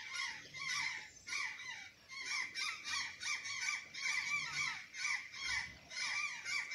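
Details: Azure jay in Santa Catarina, Brazil, eating banana and sweet potatoes, with a steady stream of loud, nasal, falling calls repeated in quick clusters, some overlapping, and a faint low hum beneath.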